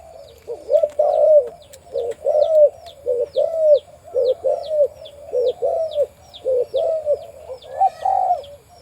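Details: On a farm, a breeding male spotted dove with a deep voice repeats low, husky coos about once a second in an even run, accompanied by rapid high chirps throughout.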